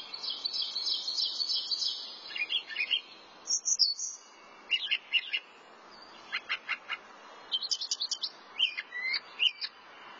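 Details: A singing thrasher runs through many short phrases: scratchy high chatter, clear piercing notes, repeated chips and rising squeaks, with brief pauses between.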